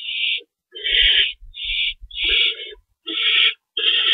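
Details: At a nest during night feeding, 25 March 2012, owls give rough, breathy screeches in short bursts with brief gaps, alongside soft low rustling and bumping.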